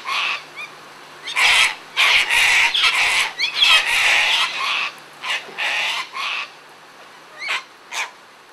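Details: Sulphur-crested cockatoos (Cacatua galerita) out feeding in a frenzy give harsh, raspy screeches, each about half a second, in an irregular run, with a few thin, sharp squeaks between them.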